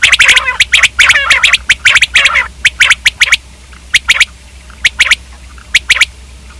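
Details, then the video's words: Dense run of quick, harsh quail notes with gargling nasal tones. It thins out into sparse sharp double notes spaced about a second apart. "Quail k hobsort awaz|Quail/Batair|Batairawaz"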